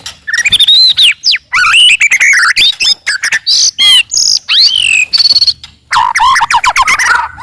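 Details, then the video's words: White-rumped shama from the forest in a very loud, aggressive burst aimed at provoking rivals: dense, high, rapidly changing whistles, upsweeps and buzzy trills packed into short, clipped phrases. "KICAUAN MURAI BATU HUTAN, VOLUME KERAS, AMPUH MENAIKAN EMOSI LAWAN"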